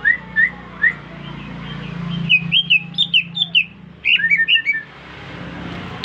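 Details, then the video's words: Newly bought greater green leafbird singing right away after being whistled at: a few whistled notes, then a lively run of sharp, varied high chirps and slurred whistles, quickening toward the end, over a low steady hum. "Cucak Ijo Gacor baru beli kena siul langsung ngoceh"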